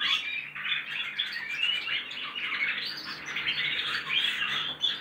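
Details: Several young goldfinch x canary crosses practising canary-style song, an unbroken jumble of quick twitters, scratchy phrases and brief clear whistles throughout, over low background hum.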